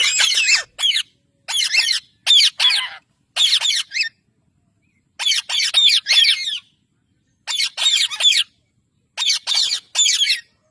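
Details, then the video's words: Pet parrot among talking parrots, uttering harsh, raspy squawks in tight clusters of two to four, with short silent gaps between each cluster. "Talking Parrots"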